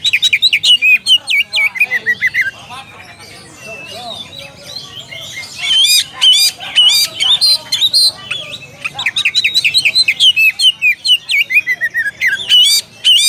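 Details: Oriental magpie-robin calling a rival: long bouts of rapid, loud chattering and whistled notes in quick series, a quieter pause with soft distant song in the middle, then vigorous rapid phrases resume.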